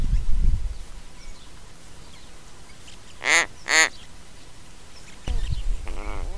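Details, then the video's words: An Australian raven (described as a Little Raven) on a trail camera at Mannum, South Australia, gives two short, nasal, creaking notes, then a fainter third. It fluffs its head feathers and ruffles its throat hackles as it calls. Low thumps and rustling are heard. "Australian Raven Making Creaking Sounds"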